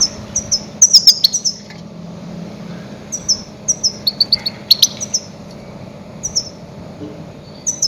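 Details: Goldfinch lure calls for hunting grey-headed goldfinches. Crisp high twitters arrive in quick runs, then sparser single chirps, against a faint constant hum.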